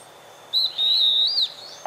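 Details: A pair of stripe-backed antbirds singing: a short high note, then a sustained, slightly wavering high whistle lasting about a second that rises briefly at the end, over a faint background hiss.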